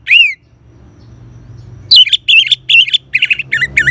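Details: Orange-headed thrush song used as a singing lure for caged birds: one slurred downward whistle, a pause, then a series of rich, warbled notes repeated roughly every third of a second.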